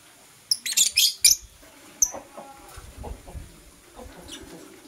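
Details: Morning chirping of Blue Opaline and Parblue Euwing Opaline lovebirds, a burst of rapid piercing shrieks followed by a single sharp chirp, with faint clatter and soft knocks behind.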